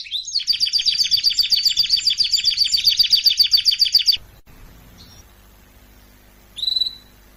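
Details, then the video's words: Canary singing, recorded for song training: a fast, rhythmic high trill of repeated twittering notes for about four seconds, then near silence broken by a few faint notes and one short whistled phrase near the end. "طائر الكناري يغرد بصوت ناري canary singing training"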